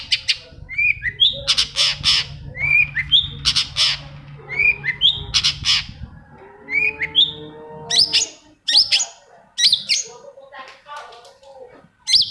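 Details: Long-tailed shrike song for stimulating other shrikes: harsh broadband bursts alternating with rising whistled notes, then a lower harmonic nasal phrase and scattered sharp calls near the end.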